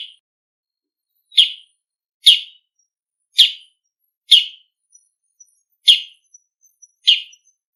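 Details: A wild bull-headed shrike calls noisily in autumn: single harsh, grating 'kyi' notes repeated roughly once a second, evenly spaced, with faint ticks between them.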